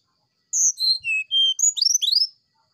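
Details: Brown-chested jungle flycatcher singing its flute-like sulingan song in the morning. Long steady whistles step down in pitch, then a fast rising cascade of bright slurred notes ends in a soft trailing whistle.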